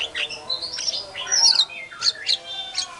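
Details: White-rumped shama in lively, loud singing form, used as a lure to provoke other shamas into answering: a fast mix of sharp whistled notes, rising sweeps and harsh chattering phrases, tightly packed across three seconds.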